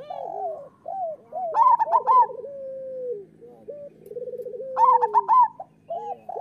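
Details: Local zebra doves cooing, used to train other doves to sing. Short bent coo notes and rolling trills alternate with two loud clusters of rapid, higher stuttering coos about three seconds apart.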